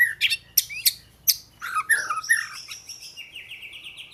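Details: Song of an Oriental magpie-robin: sharp clicky notes open the phrase, followed by rich warbled whistles and a long trailing series of fast, thin repeated notes.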